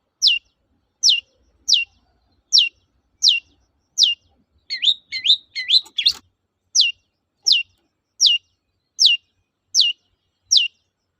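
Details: Long-tailed shrike repeating its 'toet-toet' phrase as a lure for shrikes that have stopped singing; single sharp descending whistles spaced evenly under a second apart, interrupted midway by a brief jumble of twisting notes.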